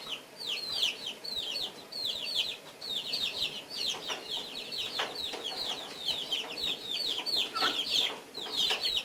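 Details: Three guinea fowl at their breakfast make brisk, piercing chirps in short downward-curving notes, often in clusters of two or three, repeated steadily throughout over light background clatter.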